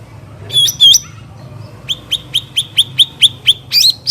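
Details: Cucak ranting bulbul recorded in the wild: a few sharp chirps, then a quick series of clipped, high, slurred notes repeated about four times a second, ending in a louder doubled chirp; low background hum.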